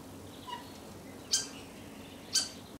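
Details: Common starling in early morning, one bird asserting itself as boss over the food; two sharp, high, brief calls about a second apart over faint background noise.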